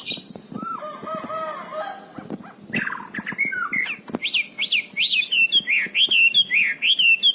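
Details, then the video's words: Singing wambi bird from Cililin: low wavering whistles and a burst of noise give way to a brisk series of high, sharply rising and falling whistled notes, repeated about twice a second. "kicau burung wambi cililin lakbet"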